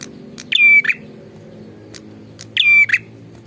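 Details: Singing bar-winged prinia: two phrases, each a scratchy opening note, a sustained steady whistle and a gritty closing note, about two seconds apart. A faint low background hum runs beneath.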